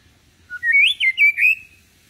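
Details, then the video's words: Young-bird training song of a white-rumped shama, kept calm rather than aggressive; a short lead-in whistle, then a fluid run of four or five warbling, slurred whistles rising and falling. "Pancingan murai batu || khusus trotolan agar belajar bunyi"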